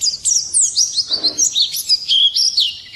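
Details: Morning song of a white-eye, a quick high-pitched jumble of looping whistled notes and twitters in short bursts, one brief soft rustle partway through.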